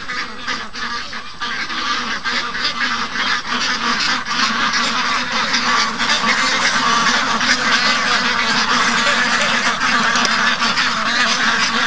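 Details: A large flock of young domestic ducks, day 55 of being raised, loudly impatient in the morning after their keeper slept in and they wanted out; dense, continuous overlapping quacking with rapid harsh calls, no pauses throughout.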